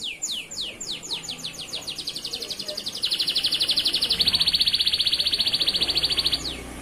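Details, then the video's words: Male local canary song for training young canaries: quick down-slurred whistles speeding into a long, loud, rolling buzzy trill lasting over three seconds. "SUARA BURUNG KENARI GACOR UNTUK MASTERAN KENARI PAUD"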